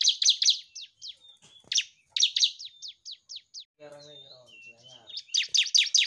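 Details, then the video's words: Bar-winged prinia singing in rapid, high, scratchy chip bursts mixed with thin whistled notes, a human voice breaking in briefly midway; tutor recording meant to prompt silent birds to sing. "Burung CIBLEK GACOR"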